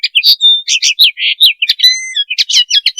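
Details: Continuous linnet twittering, given as a mating call of Linaria cannabina: lively chirps run together with a thin steady whistle and a long level two-tone note partway through, all high and bright.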